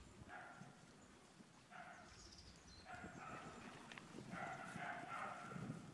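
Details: Falcated duck (Mareca falcata) on a pond in December 2015 gives nasal, harmonic calls in short bursts about every second, over a low rumble of background noise and other waterfowl.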